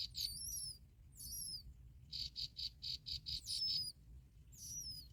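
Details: Bar-winged prinia chicks beg with thin, high squeaks and falling whistles, then a quick run of about eight sharp pulsed notes, as both parents bring black locusts to feed them; low background rumble.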